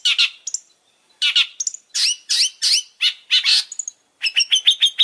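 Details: Long-tailed shrike singing vigorously: harsh scratchy bursts mixed with upslurred whistled notes, broken by short silences, ending in a fast run of repeated high, even notes.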